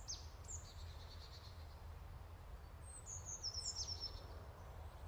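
Black-throated munia giving thin, very high, slightly descending squeaky notes in two short bursts, over a steady low rumble of background noise.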